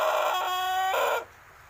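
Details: Six-month-old young Pelung rooster, a learner crower: the tail end of a crow, harsh and harmonic with a steadier tonal middle, cut off sharply after about 1.2 seconds, then quiet.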